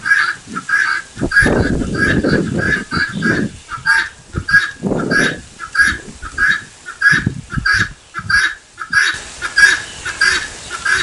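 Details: Helmeted guineafowl repeating its harsh two-part 'tô fraco' call about every two-thirds of a second, with bursts of low rumbling noise between some calls.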